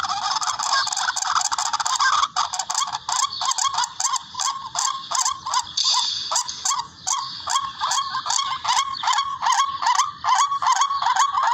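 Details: Hunting-lure call of the barred rail (tikling): a long run of raspy upslurred notes, about two or three each second, with crisp clicking edges over a harsh churring background.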